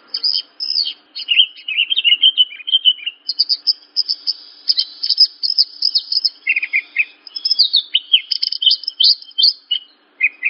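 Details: Horsfield's bush lark training song: a dense medley of high whistles, buzzy trills and sliding notes, almost continuous, with short breaks between bursts.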